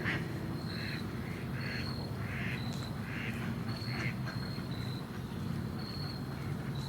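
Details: Ducks quacking: a steady series of harsh, nasal quacks, about one every 0.7 seconds, while a thin, high, steady whistled tone recurs in short bursts behind them over a low rumble.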